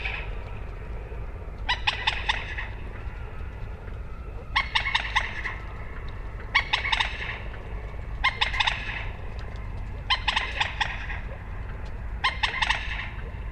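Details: Common moorhen uttering short rattling bursts of rapid stuttered notes, each burst lasting under a second and recurring about every two seconds over a steady low rumble.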